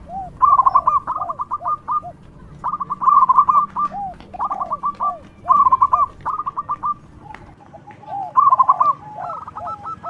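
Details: Loud, frequently singing local zebra dove, used as a lure for other doves, delivers six phrases. Each begins with soft bubbling notes and runs into a fast string of short, clipped coos, repeating every couple of seconds.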